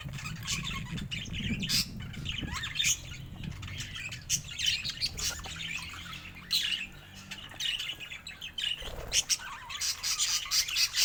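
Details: Kept budgies chatter softly with scratchy chirps and brief squawks, getting busier toward the end, over a low rumbling background.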